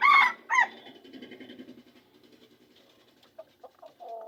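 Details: Red junglefowl from the Seulawah forest, Aceh Besar, Indonesia: two loud, harsh, ringing call notes at the start, followed by a run of soft, low clucking notes and a few scattered short notes.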